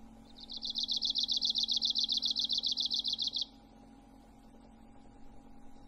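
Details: Arctic warbler (Phylloscopus borealis) delivering a high, dry, mechanical trill of about twenty evenly spaced notes over three seconds, then falling silent; a steady low hum runs underneath throughout.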